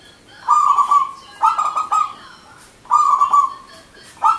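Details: Zebra dove, a local wild-type perkutut, in vigorous manggung song for luring other doves. Rapid, stuttering cooing bursts each trail into a sustained tone, with phrases about every one and a half seconds.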